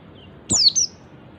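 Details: Oriental white-eye ngalas call, the kind that draws other white-eyes to answer: one quick high note sweeping steeply downward, followed by a short level high note.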